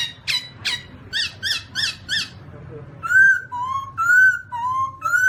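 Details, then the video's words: Black-throated laughingthrush, Garrulax chinensis: a string of short harsh harmonic chirps about twice a second, then clear alternating whistled notes stepping up and down, with a low room hum behind. "Black-throated laughingthrush (Garrulax chinensis): Funny Sounds And Funny Dances"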